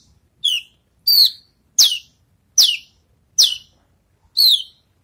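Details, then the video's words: Javan bush lark that has finished moulting, practising songs: six sharp whistled notes falling quickly in pitch, delivered at a steady pace of roughly one every seven-tenths of a second, in quiet surroundings. "branjangan selesai mabung latih bongkar lagu"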